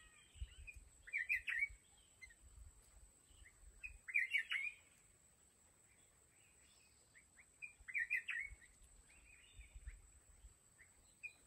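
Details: Red-whiskered bulbul working as a trap decoy for wild mountain bulbuls: three loud warbled phrases about every three and a half seconds, with softer chirps between them and low rumbling noise underneath.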